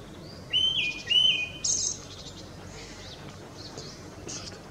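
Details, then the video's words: Tickell's thrush male in Ladakh performing display song for a female: two clear whistled notes in quick succession, followed by a thin high note, then quiet background. "Tickell’s Thrush Song"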